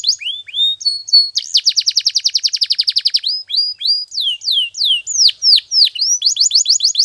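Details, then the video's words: Canary training song: rising whistled notes, then a fast, even roll of short repeated syllables for about two seconds, followed by loud downward-sweeping whistles and a closing rapid trill. "Your Canary Will Sing Immediately - Canary's Sound Training Every Morning"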